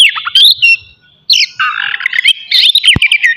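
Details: Captive Oriental magpie-robin singing loudly in ngeplong style as a morning session to excite rival and breeding urges in other magpie-robins: dense, varied whistles, downslurred notes and rapid warbling after a brief silence.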